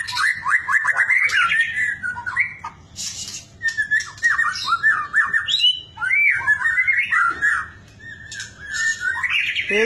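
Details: Bait song of a white-rumped shama (murai batu), meant to provoke other shamas into steady, bold singing. Fast run of clear whistled phrases, upward slurs, and harsh high chatters, delivered almost without a break.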